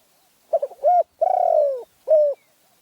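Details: Cooing phrase of a spotted dove in Phrae, Thailand: stammered introductory notes, a level coo, a long tremulous falling coo and a final short coo, all mellow and clear.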